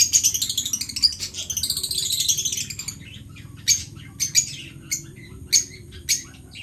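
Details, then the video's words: Pet lovebirds: a burst of dense, high chattering chirps for about three seconds, then separate sharp single chirps spaced a second or so apart over quiet background hum. "Beautiful Love birds Parrot"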